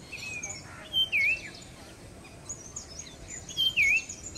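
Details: Breeding adult male Common iora in a vocal display gives two clear whistled phrases about 2.6 seconds apart, each a short note then a swooping dip-and-rise whistle; faint high chirps of other birds behind.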